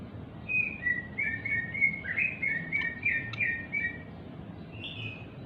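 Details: Oriental magpie-robin singing to provoke other magpie-robins into song, a continuous run of varied whistled notes and short slurred trills at moderate volume, with a steady background hiss throughout.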